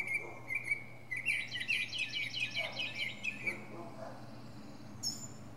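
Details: Northern mockingbird giving its varied repertoire atop a pine: a few short whistles, then a fast rattling run of buzzy notes, followed by scattered chips and a high squeaky ending.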